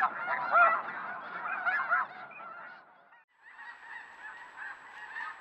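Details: Geese filmed by a trail camera: a dense chorus of overlapping nasal honks for about three seconds, a short pause, then a quieter, more distant continuation of the honking flock.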